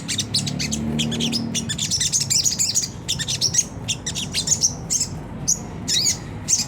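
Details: Sunda whistling thrush in the coarse ngriwik kasar chatter style, used to provoke caged birds: fast strings of high grating notes with sharp accents, thinning into spaced single notes toward the end, over a low hum.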